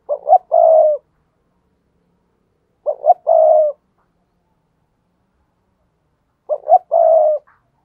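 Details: Spotted dove cooing to lure wild doves: three phrases about three seconds apart, each two short clipped notes and then a longer, steady, mellow hoot. Quiet background.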